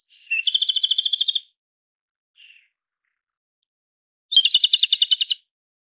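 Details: Two trilled Japanese robin phrases, each a high opening note and a fast even rattle of about a second, separated by a pause of nearly three seconds with a few faint soft notes between them.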